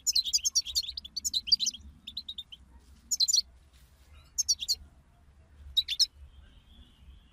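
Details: Chirping of several goldfinches, recorded to provoke goldfinch singing: a fast stream of high, tinkling, twittered notes for over two seconds, followed by three brief, intense bursts of chatter separated by quiet pauses.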